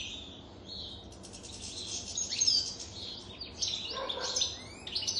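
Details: European goldfinch aged more than three years giving high, scratchy twittering phrases with quick trills and tinkling notes, louder bursts in the second half.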